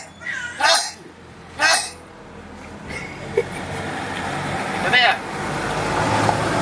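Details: A mynah on Koh Phangan, Thailand, imitating people: two harsh, cough-like bursts a second apart, then a hoarse, voice-like rising phrase, over a steady hum of traffic.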